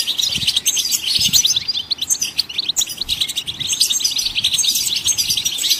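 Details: Goldfinch twittering song meant to stimulate songbirds to sing: rapid, busy chirps and tinkling notes, steady for the whole stretch, with bright high buzzy bursts at start and end and soft low thumps.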